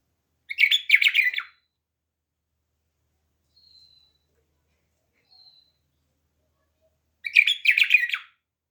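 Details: Home-kept bulbul singing two loud, rapid, chattering phrases about seven seconds apart, each roughly a second long of clustered notes, with faint thin high whistles in the quiet gap between them.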